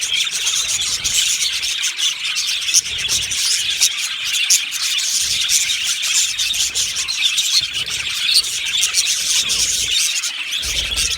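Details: Aviary colony of Australian budgerigars, July 2025: steady high twittering and chirps from many birds blend into a dense chatter, with faint low rumbles in the background.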